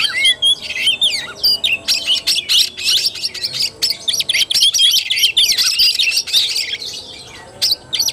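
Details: Oriental magpie-robin singing in the fighting style known as tarung, recorded 17 August 2021: a dense, fast run of loud whistled and scratchy high notes with quick slurred phrases, broken by brief pauses.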